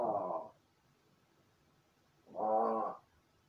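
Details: Pet crow indoors, practising calls after solitary play, camera set before its room: two raspy, drawn-out caws about two seconds apart, the second longer and steadier.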